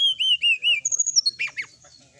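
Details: Sooty-headed bulbul singing energetically in a night-time tutor recording: three clear, rising-and-falling whistled notes, then a quick string of higher notes and a couple of harsh downward chirps.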